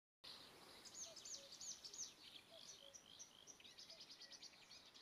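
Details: Marsh warbler just returned, Kreis Plön, Schleswig-Holstein, 23 May 2020, sings a fast, rambling stream of high chatters, buzzes, trills and whistles, about three notes a second, with few imitations; recorded at low mic level below a tree sparrow nest box.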